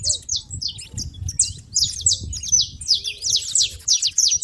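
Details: Saffron finches noisy at a feeding place, uttering quick high chirps and downslurred tweets that grow denser toward the end, over faint low background noise.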